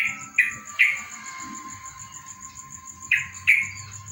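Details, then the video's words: Kept yellow-vented bulbul singing after a morning dew bath: short, bubbly, slurred notes in two quick pairs, one near the start and one after three seconds, over a steady electronic hum and a thin high tone. "burung Trucukan gacor terus MANDI EMBUN PAGI"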